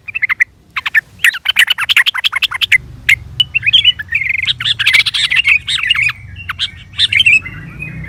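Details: Sooty-headed bulbul calling, played to get other birds to respond: lively rattling chirps in quick series, then bubbly warbled phrases and a fading trill, over faint low hum.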